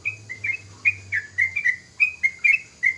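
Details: Young yellow-vented bulbul starting to sing freely and steadily: a rapid series of short, clear whistled notes, each slurring up or down, about four per second, with a faint low hum underneath.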